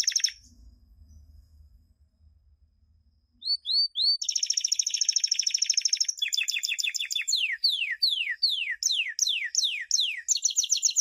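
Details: Champion canary song for teaching young canaries: a near-silent gap with faint low rumble, then rising chip notes, a dense buzzy roll, and a series of sweeping downward whistles repeated about twice a second.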